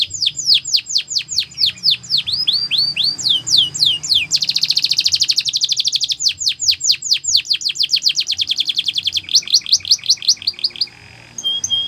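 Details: Canary training song: rapid series of sweeping, high whistled notes repeated several times a second, shifting into a dense buzzy roll, then back to quick downslurred whistles.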